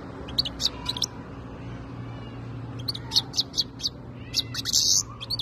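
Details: European goldfinch called khaloui, 2022: scattered high chirps, then a lively run of twittering notes ending in a buzzy rasping phrase, against a steady low hum.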